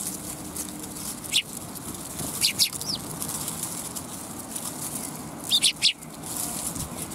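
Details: Sparrows chirping at a Tenmangu shrine on a December 2021 afternoon. Short, sharp high chirps come in small groups of two or three, separated by pauses. There is a low background rumble.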